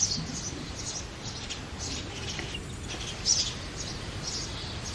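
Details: Two baby house sparrows being fed by their parents in an artificial clay pot nest give rapid, high-pitched squeaky chirps in short clusters against constant outdoor noise.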